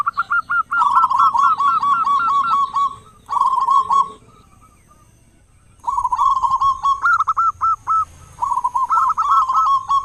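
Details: Local zebra dove with a loud voice, singing as a lure to draw other zebra doves into song in the morning and evening: rapid, hooked cooing notes repeated in long runs, a short pause, then further cooing phrases.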